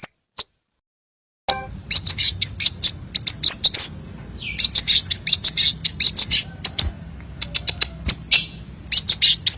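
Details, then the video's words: Crimson sunbird song in a tutor recording with many variations: two brief high notes, a pause, then a rapid, dense, high twittering run of sharp chirps that continues to the end. "masteran burung sepah raja banyak variasi"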